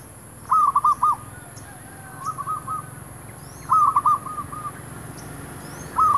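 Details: Zebra dove calling around shops during trapping of wild doves with a decoy bird; repeated phrases of quick stuttering coos, three main bursts plus a fainter answering series, faint high chirps of other birds and steady hum behind.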